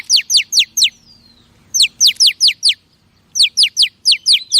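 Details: Female oriental magpie-robin calling to stimulate male birds: bursts of four or five sharp, high downward-sweeping notes in quick succession, separated by short pauses, plus one thin descending whistle.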